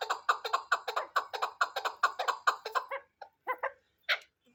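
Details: Chukar partridge clucking in a quick series of throaty chuk notes that break off after about three seconds into a few scattered, softer notes and a final squeal.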